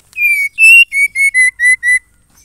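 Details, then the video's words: Female white-rumped shama calling for a male: a run of seven ringing whistled notes, opening with two longer ones, then five brisk short notes that step gently downward. No other sounds. "Murai betina memanggil jantan"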